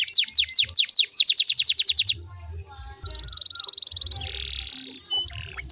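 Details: Canary song aimed at triggering replies from other canaries: a rapid string of high, falling notes, then a softer fine buzzing trill, a quieter rasping stretch and a last sweeping note.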